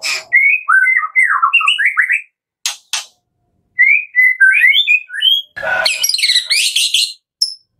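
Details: Medan white-rumped shama in captivity, singing actively in the morning with many mimicked notes; a lure for other caged shamas. Quick twisting whistled phrases in short bursts, separated by gaps, with a few sharp clicks and harsh noisy notes.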